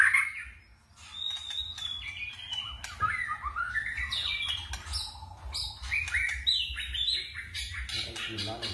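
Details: Varied forest-style song of a white-rumped shama, constantly switching phrases: clear whistles, sliding slurs and quick chattering notes follow one another almost without a break, with a faint low hum underneath.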